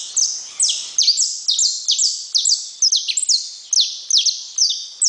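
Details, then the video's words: Saffron finch singing a lively string of sharp, high descending notes, some doubled, ringing with echo in a quiet setting. "Canário da terra"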